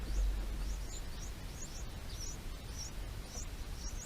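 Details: Two bulbul chicks in their nest, being fed by a parent bringing food, give thin, high chirps in quick succession, several each second, faint against a steady low rumble.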